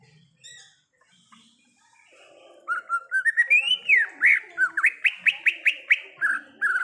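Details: Greater green leafbird in the wild: after quiet faint chips, a rising run of whistles swells into a loud series of quick upswept notes repeated about twice a second.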